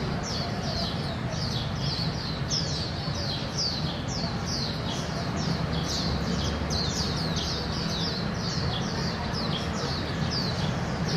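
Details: A family of Warbling white-eyes foraging for small insects in bushes on 24 August 2016 at about 17:58, giving thin, high, slurred chirps, several birds calling over one another almost continuously over a steady low rumble.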